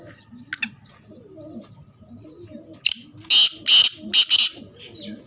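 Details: Black francolin calling: after a faint early burst, four loud, harsh, high-pitched notes ring out in a quick grouped series, with soft cooing from doves underneath.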